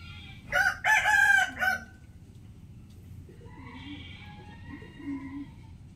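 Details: Rooster crowing in the early morning, a short loud burst of choppy crow syllables in the first two seconds, then quieter distant bird calls and soft background noise.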